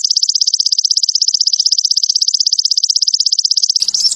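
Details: Sogon trotol sunbird, a recording for training kept birds and raising their breeding urge: a steady, loud, very high buzzy trill of rapid regular pulses for nearly four seconds, ending in a brief twitter.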